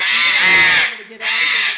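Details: An Eclectus parrot (Eclectus roratus), recorded to show how loud it can be, gives two loud, harsh, grating screams, each almost a second long, separated by a brief pause; a person speaks faintly nearby.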